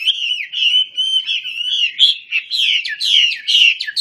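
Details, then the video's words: Energetic song of a Chinese hwamei displaying with open wings: continuous loud, clear whistling, long sustained notes giving way to pulsing, repeated slurred phrases about every half second. "KICAU HWAMEI WAMBI KEMBANG GACOR BUKA SAYAP"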